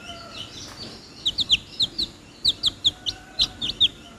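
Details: Baby chickens calling up close: clear, high, downward-sliding peeps, given singly or in quick pairs after a quiet start, against low background noise.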